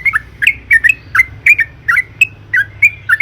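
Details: Trucukan, or sooty-headed bulbul, singing eagerly as a lure for other birds: irregular slurred bubbly notes, about three a second, above a steady low rumble.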